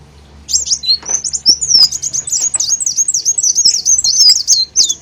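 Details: Olive-backed sunbird song used as a lure to attract birds: a fast run of very high, thin, buzzy chirps and sweeping notes, densely repeated with no pause after a quiet start.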